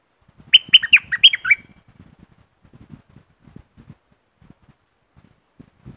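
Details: Southern Thai streak-eared bulbul giving a brief burst of six rapid, chattering, slurred notes in under a second, followed by several seconds of near silence with faint low knocks.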